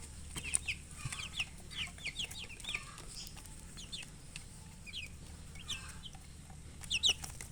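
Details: Colored chickens giving a busy stream of short, high, downward-sliding chirps, several birds overlapping in quick irregular bursts, with a low steady hum underneath.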